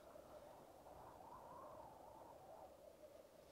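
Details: At a black grouse lek, a low bubbling murmur of cooing males. Midway one voice swells and rises a little before sinking back into the rolling chorus. Recorded with a Rode Videomic Go.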